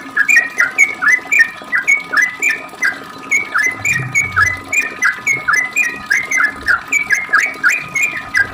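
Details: Long ropel song of a sooty-headed bulbul, played to prompt other bulbuls to answer: fast, unbroken string of clear whistled notes dipping and rising, with a brief lull near the middle and a soft background hum.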